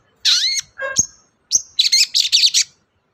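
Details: Long-tailed shrike song for prompting a quiet shrike: a long buzzy note, a lower rasping phrase, a thin high whistle, then five quick scratchy warbled notes.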